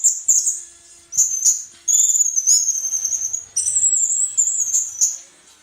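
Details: Orange-headed thrush singing, song used for training caged birds: very high, thin whistled phrases with slurred, warbling notes, delivered in bursts separated by short gaps.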